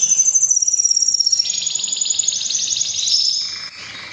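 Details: Breeding-season canary song: a fast pulsing rattle followed by a high, slightly descending whistle over rapid rolling trills.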